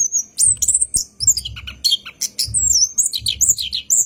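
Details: Night-singing caged orange-headed thrush, rolling lure song: high whistles and scratchy chattering notes in quick bursts, accompanied by low muffled thumps at intervals.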